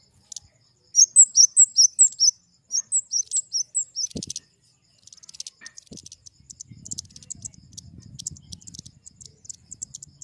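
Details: Flowerpecker singing two quick runs of high, thin, evenly spaced slurred notes, followed by scattered faint ticks and a low murmuring background.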